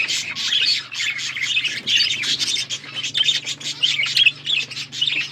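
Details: Seed-eating budgerigars in an outdoor aviary in forest surroundings give pulsing bursts of chirpy, scratchy chatter, with a faint low hum in the background.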